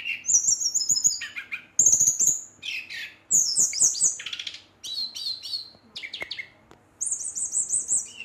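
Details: Incited Brown-chested jungle flycatcher song aimed at rivals: high trilled whistles alternate with rapid chattering phrases, broken by short pauses, ending in a level trilled whistle.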